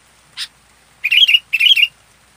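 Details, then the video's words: One sharp note from a local sooty-headed bulbul, then two bubbly, rolling whistled phrases of about a third of a second each, close and clear against silence. "Masteran Burung Kutilang Lokal Full Aktif"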